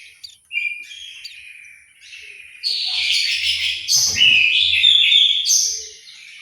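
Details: Orange-headed thrush kept in an aviary in Malang, East Java, Indonesia, delivering a quick series of whistled and chattered notes that swell into a loud, tumbling warble, with a faint thud midway.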